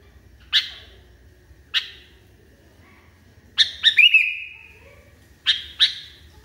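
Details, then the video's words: Sooty-headed Bulbul calling in an agitated way: two widely spaced single chirps, then a tight triple burst ending in a fading whistle, and two more snapping notes close together. "KUTILANG NGAMUK PARAH"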